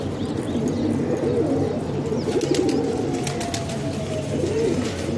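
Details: Pigeons kept in a house in Pakistan give low, rolling coos that overlap into a continuous murmur. Faint clicks and rustles sound in the background.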